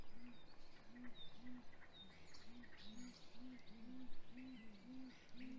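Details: Deep hooting from a great grey owl pair at their nest during hatch week, early morning of 27 April 2020, while the male brings prey to the female. Low hoots come steadily and overlap midway as a second voice joins. Small birds twitter in the background.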